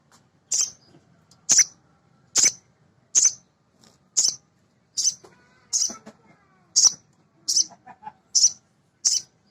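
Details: High, piercing chip notes from a male sogon sunbird used as a lure for training other birds, repeated steadily about once a second, with faint softer twitters between.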